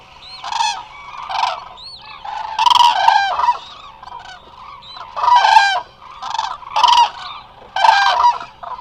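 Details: A flock of Eurasian cranes resting at the Hula Nature Reserve in Israel, recorded by a remote wildlife camera. Loud, rolling trumpeting calls come in overlapping bursts roughly every second, and several birds call together.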